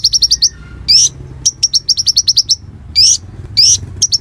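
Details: Actively singing Konin (Bar-winged Prinia), a tutor song for magpie-robins and fighter birds: quick high chips in runs of five or six, broken by sharp rising buzzy sweeps roughly every second.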